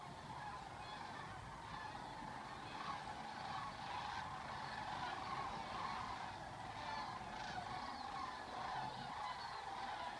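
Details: Sandhill cranes leave Gainesville, Florida, in February on migration back to Nebraska. A distant flock gives continuous overlapping rolling, rattling calls in a dense chorus, with a low rumble of background traffic.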